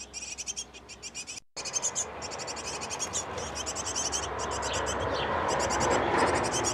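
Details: From a nest box occupied by a great tit pair tending nestlings, rapid high chirp bursts repeat about four per second before rising broadband rustling noise swells and partly covers them.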